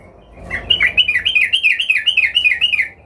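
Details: Sooty-headed bulbul, worked up and looking for a rival, delivers one continuous warbled phrase of about two and a half seconds with quick rising and falling bubbly notes.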